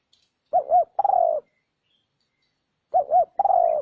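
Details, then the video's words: Spotted dove cooing, recorded as a lure for wild doves: two complete phrases about two and a half seconds apart. Each has two short looped coos and a longer, gently descending, burry note. "Âm thanh kích chim cu gáy"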